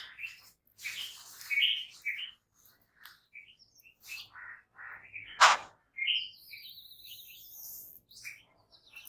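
Jungle babblers give harsh, squeaky chattering notes in irregular bursts, with a loud rasping squawk midway and a rapid series of high chips near the end.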